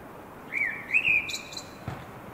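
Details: Blackbird song phrase: a rich, fluty whistle rising then held steady, closed by a brief high squeaky twitter, with a soft knock near the end and constant low ambient rumble.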